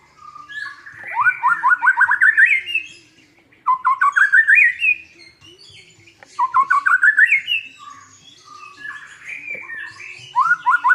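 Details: White-rumped shama song used to provoke a silent shama into singing: rapid series of rising, stepped whistled notes climbing in pitch, in repeated bursts of about two seconds with pauses, plus a faint low steady hum beneath.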